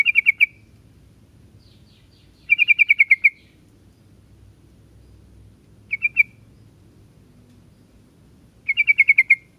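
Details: Trucuk or yellow-vented bulbul repeating short bursts of fast bright chirps, six to eight notes per burst, with one brief two-note fragment between the longer runs.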